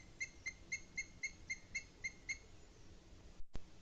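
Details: Booted eagle in the Sierra de Guadarrama, Spain, on 20 May 2021 at 07:40: a rapid series of about nine high, clipped notes, roughly four per second, over a low background rumble.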